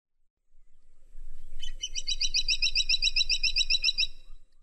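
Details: Woodpecker, the caladi tikotok, delivering a fast, regular series of sharp high notes forming a dry rattle of about two and a half seconds over a quiet background.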